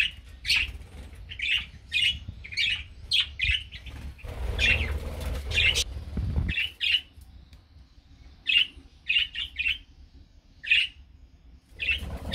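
Budgerigar chicks give raspy, high chirps in quick bursts, a few each second.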